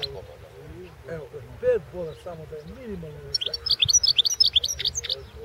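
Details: European goldfinch at the 2016 World Championship in Goldfinch Song: a man speaks first, then the bird breaks into a quick series of high, twittering, slightly buzzy notes.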